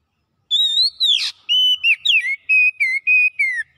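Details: Oriental magpie-robin in loud chattering song: a long wavering whistle, a scratchy buzzy burst, then a steady series of about seven short pure whistles on a similar pitch, the last one sliding downward.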